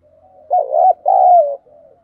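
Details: Decoy spotted dove cooing to lure wild doves, in the thổ voice style: two low, mellow coos, a rough broken one followed by a longer smooth note that slides slightly downward, with faint quiet cooing before and after.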